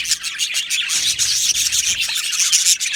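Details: Budgerigar colony in an aviary, a loud dense burst of harsh, scratchy chirping and high squeaks from many birds at once.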